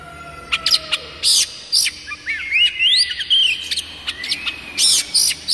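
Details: Song of an oriental magpie-robin from a village, played to spur other magpie-robins into song: lively mixed phrases of sharp high chips, rising slurred whistles and buzzy notes, delivered in quick succession.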